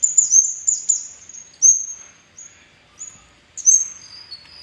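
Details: Lure song of the red-headed kemade, meant to get kemade birds singing and opening their beaks; very high, clear whistled notes, some sliding downward, delivered in separated phrases with brief pauses, ending on a lower steady tone.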